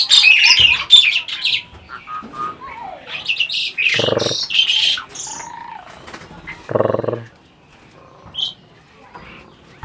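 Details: Adult Asian pied starling chattering as though conversing: a burst of shrill scratchy notes and short whistles, then several low voice-like harmonic bursts, before the sound fades to near quiet.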